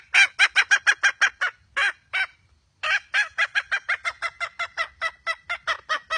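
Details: Wild red junglefowl hen giving rapid, grating clucks in quick series. One drawn-out cackle breaks the run before a brief pause, then the hoarse notes resume at a fast, even pace to the end.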